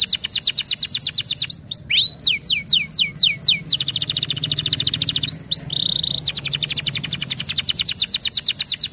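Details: Canary singing as a stimulating song: rapid high trill, then a series of loud swooping descending notes, a short steady whistle, and a long even rolling trill, low background hum throughout.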